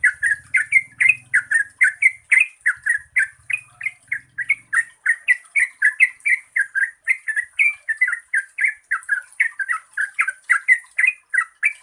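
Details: Yellow-vented bulbul in lively, long-trilled song played as a lure to prompt birds that sing little; bubbly, chattering notes repeated about three times a second throughout, with a faint low hum in the first five seconds.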